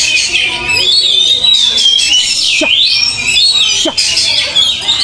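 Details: Oriental magpie-robin being trained out in a field, singing loud clear whistled phrases that sweep up and down in long runs, with other birdsong overlapping and brief human voices in the background.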